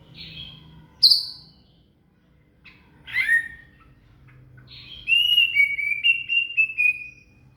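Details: Murai (shama) song as training material for a cililin: separated high whistles and sharp notes, then a run of repeated, slightly descending whistled phrases, about four per second, over a low hum.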